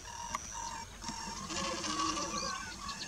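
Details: Lesser whistling duck, locally called Tingi, at Lamphelpat, Manipur, India, in May 2021: dense overlapping chatter of short high whistled notes, some arched and rising then falling, over a steady background hiss.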